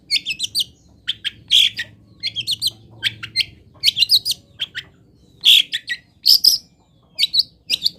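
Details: Long-tailed shrike (cendet) song of a local type, a busy run of quick high chips, trills and squeaky notes in irregular bursts, loud and close, with a faint low hum beneath.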